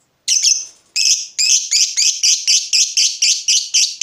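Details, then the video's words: Fighter lovebird provoked into calling: harsh, shrill repeated notes, about two per second after a short opening burst, building into the long "ngekek" series, clean with no other sounds. "Lovebird FIGHTER terpancing Panas, nyaut Ngetik lanjut Ngekek Panjang"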